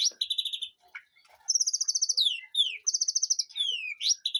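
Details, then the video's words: Caged white-rumped shama in a backyard garden aviary, singing loud, rapid rattling trills. High buzzy bursts alternate with swooping down-slurred whistles, with barely any pause between phrases. "Aviary murai batu di kebun belakang rumahku"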